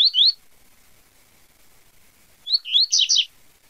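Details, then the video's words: Double-collared seedeater singing in the Tui Tui Zel Zel style: a short high twittering burst, a long pause, then a livelier run of sweeping, slurred notes about a second long; quiet background. "Canto do Coleiro Tui Tui Zel Zel"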